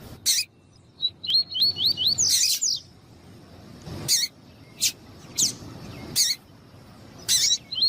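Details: Double-collared seedeater of the tuí-tuí song style, with a female calling to warm up the male: a short run of quick upslurred whistles near mid-pitch, broken by loud sharp broadband chips and clicks.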